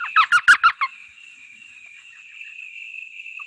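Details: Elf owl, a tiny owl with a high-pitched call: five quick, high yelping notes in under a second, like a tiny puppy's yips, followed by a thin steady whine in the background.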